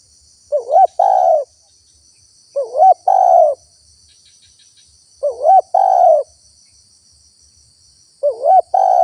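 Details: Repeated cooing of a spotted dove meant to draw in wild doves: four phrases, each a bent, rising coo and a sustained low coo, spaced about two and a half seconds apart, with a thin insect buzz above.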